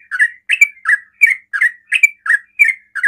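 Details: Rapid-fire song of a sooty-headed bulbul, sung to draw replies from other bulbuls. Quick liquid chirps, some with a brief whistled peak, come in a steady stream of about nine phrases over three seconds against a quiet background.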